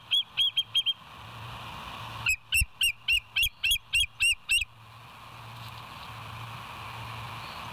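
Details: West End bald eagle, live nest cam, 07/09/2023, 06:24 in the morning: four sharp, high chirps, a pause, then a rapid string of about nine piping, slightly downslurred notes, over a low steady hum.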